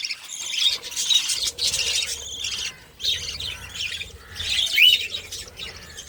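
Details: Budgerigar mother feeding her young; bursts of high, squeaky chirping and buzzy twittering come in waves about every second, with brief quieter gaps.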